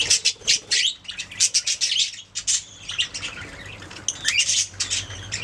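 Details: Chirping budgerigars in a lively sequence of loud, rapid scratchy chirps and squawks, pausing briefly before another burst of chatter and warbling.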